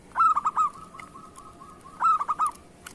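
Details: Zebra dove of a local strain, in full song and suited for use as a lure: two loud phrases about two seconds apart, each a few clipped staccato notes followed by a soft, level, rolling trill.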